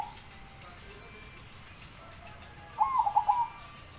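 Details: Zebra dove described as having a big voice, giving a single soft rolling coo phrase near the end, a quick wavering trill of connected notes, over a steady low background hum.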